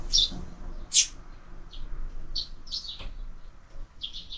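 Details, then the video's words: Short bright chirps from sparrows at a feeder fixed to a window, irregular and spaced, some doubled or in quick clusters, with faint background rumble. "Воробьи в кормушке"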